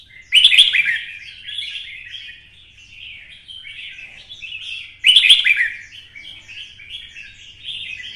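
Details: Vietnamese red-whiskered bulbul in the twisting-voice style, roused into a fired-up fighting song. Two loud, sharp-onset warbled phrases about five seconds apart, each trailing into softer chattering notes, in clean quiet surroundings.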